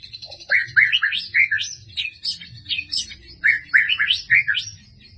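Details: White-rumped shama from Medan, singing nonstop with sharp 'tembakan' bursts: two rapid runs of loud, bright, swooping whistled notes with a brief lower note at the start and a short pause between runs.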